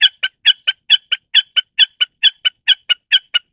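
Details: Common snipe (Gallinago gallinago) repeating a regular, rapid series of hard, clipped notes, about sixteen in three and a half seconds, with an even rhythm and a clean, quiet background.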